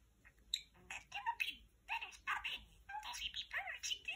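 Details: A male talking parakeet chatting to a lamp, keeping up a fast, scratchy run of chirps and speech-like warbles in short bursts, bright and high-pitched, with a few clicks in a quiet room.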